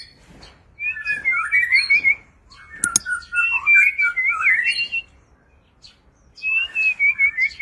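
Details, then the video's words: White-rumped shama displaying and singing many different phrases: loud, melodious whistled warbles that bend up and down, in bursts of about two seconds separated by short pauses, with a sharp click in between. "White-rumped shama Display kích chòe lửa hót nhiều giọng"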